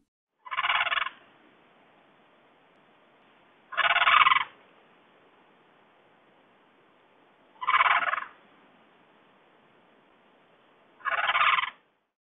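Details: A crane at a zoo gives four harsh, rolling trumpeted calls, each about half a second long and spaced roughly three to four seconds apart.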